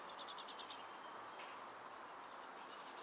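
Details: Coal tit calls from a nest box in a garden during chick rearing, May 2019: a fast buzzy high chatter, then two sharp down-slurred notes and a quick string of seven thin, even peeps over steady background hiss.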